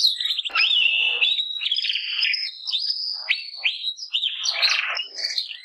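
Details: A Gloster or Yorkshire canary sings a fast, bright run of warbled notes, slurred whistles and trills packed high in pitch, with quick rising and falling phrases.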